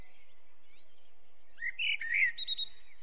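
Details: Eurasian blackbird: faint, thin notes at first, then a louder mellow warble breaking into high, tinkling twitters.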